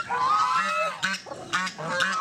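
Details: Geese attacking a wild boar, giving loud nasal honks in quick succession, each with a strong buzzy tone, about four honks spaced roughly half a second apart, with harsher bursts between.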